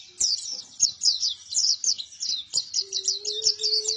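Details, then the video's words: Rapid, high twittering song of a vigorously singing buktoni white-eye, notes repeating in fast downward-slurred bursts; a steady low hum enters during the final second. "PLECI BUKTONI GACOR"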